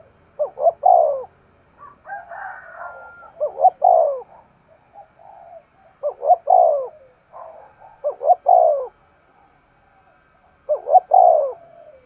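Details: Vigorous 'thúc gù' cooing of a spotted dove. Five repeated phrases, each two quick hoots and a drawn-out descending coo, roughly every two to three seconds. A faint higher chatter is audible between early phrases.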